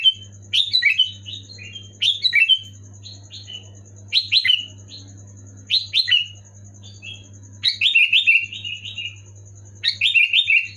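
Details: Sooty-headed bulbul in energetic 'gacor' song, played to trigger quiet pet bulbuls: rich warbled phrases of several rapid notes, including one longer rolling run, repeating roughly every two seconds over a low electrical hum.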